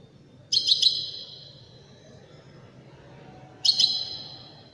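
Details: European goldfinch in Widani style giving two twittering phrases about three seconds apart. Each has quick stuttered notes that trail off into a fading high whistle, with low background noise between them.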